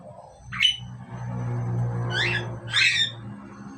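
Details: A pair of Asian pied starlings: one short sharp call followed by two harsh, buzzy descending squawks, with a steady low droning hum underneath throughout.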